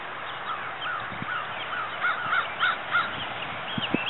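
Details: Two week-old Florida sandhill crane chicks playing and running near their mother's nest, 2012: a series of short, rising-falling peeping notes repeated about every third of a second against a steady background hiss.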